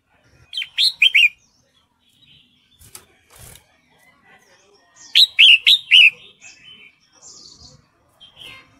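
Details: Female red-whiskered bulbul in breeding condition calling for a male, giving two bursts of rapid chirping notes several seconds apart, with soft rustles and faint chirps in the quiet gaps.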